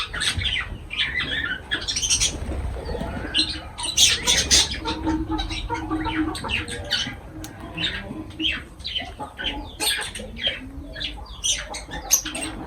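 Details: Caged lovebirds calling while feeding: rapid harsh squawks and shrill chirps, many overlapping, with faint low chatter and rustling beneath.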